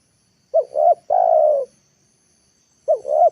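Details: Spotted dove used for luring wild birds down, calling in the afternoon. One full phrase of two short hoots and a long descending coo, then the next phrase starts after a short pause.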